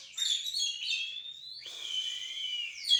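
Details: Kacer singing: high, clear whistled notes, a long gliding whistle rising then falling, followed by a sustained descending whistle in a small-room setting.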